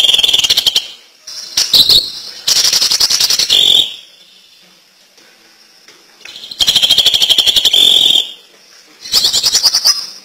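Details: Greater green leafbird singing intensely, delivering energetic bursts of fast, chattering, whistled phrases high in pitch, each burst lasting one to two seconds and broken by pauses of quiet.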